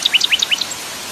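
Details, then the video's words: Common nightingale song phrase set against waterfall sound: a quick burst of bright, varied chirps, some rising and some dropping, packed into about half a second before fading to the rushing water. "kompilasi suara air terjun common nightiangle"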